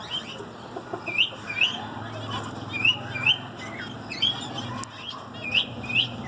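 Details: Zebra finches singing: bright, upward-sweeping nasal notes repeated about twice per second, with softer chatter and a constant low hum underneath.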